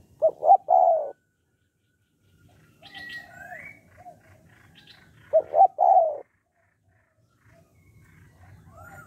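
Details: Spotted dove in the 'hạp bổi' voice style, used to stimulate males to call quickly: two low, mellow three-part coo phrases about five seconds apart, with faint thin whistles and chirps between them.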